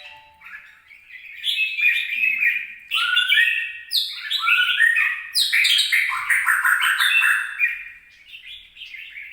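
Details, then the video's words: Red-whiskered bulbul, 26 April 2022, giving a lively jumble of twittering and chattering notes that build in intensity, with rapid repeated chirps in the middle and softer warbles trailing off at the end. "Burung Jambul"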